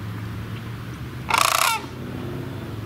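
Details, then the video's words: Sandhill crane call, a single rich, trilling rattle lasting under half a second, strongly pulsed, over a low steady hum. "Sandhill Cranes Calling"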